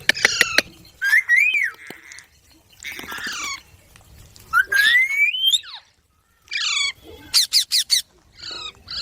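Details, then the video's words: Baby green parrot mixing drawn-out rising whistles with rough squawks and a quick run of sharp clicks, separated by near-silent gaps. "Green Baby Parrot Chirping Sounds | Parrot Sound | Parrot voice | Tote Ki Awaaz | Mitthu Ki Awaaz"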